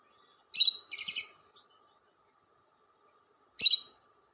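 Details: Lovebird lure sound, a double burst of harsh raspy chattering followed three seconds later by a single short grating note, over a faint constant hum.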